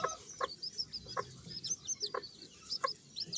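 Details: Sebright chicks giving a steady chorus of thin, high peeps, many short overlapping chirps with upward and downward slurs, with sharp clicking taps roughly every half second to second.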